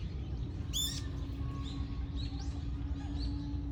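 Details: Common kingfisher recorded on 10 November 2024: one sharp, high whistled call rising in a quick stack of notes just before the first second, then several fainter thin calls, over a steady low rumble and a faint constant hum.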